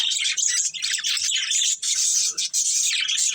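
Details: Nonstop twittering from a budgerigar breeding pair, with bright, fast, squeaky chirps and raspy warbles running continuously.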